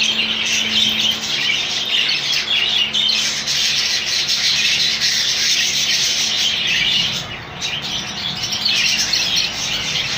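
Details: A colony of rainbow budgerigars makes a dense wash of raspy chirps and warbling, many birds calling at once, dipping briefly before building again.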